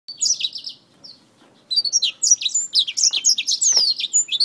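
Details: Black-throated finch fighting a finger: rapid bursts of high, sharp chirps and short downslurred notes, a brief lull near the middle, then dense overlapping tweets to the end.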